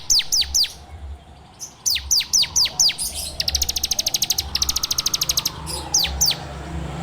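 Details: Bar-winged prinia (ciblek) song in the rapid 'ngebren' style, recorded on an Android phone as a lure for kept songbirds: groups of sharp, high, downslurred whistles, then two long, fast, buzzy trills of evenly repeated notes, more downslurs after; low hum behind.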